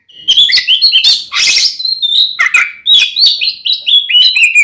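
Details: Male oriental magpie-robin in a fighting song used to provoke rivals into anger, a dense, varied torrent of whistles, chirps and harsh scratchy notes mixed with quick clicks, delivered almost without pause.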